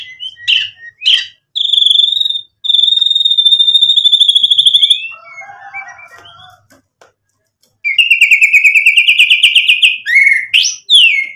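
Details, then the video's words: White-rumped shama song meant to provoke a reply: sharp chips, then long rapid pulsing trills at a high pitch, a low chattering interlude, and another extended high trill ending in slurred whistles. "MURAI BATU GACOR memancing EMOSI bikin NYAUT ikut BUNYI"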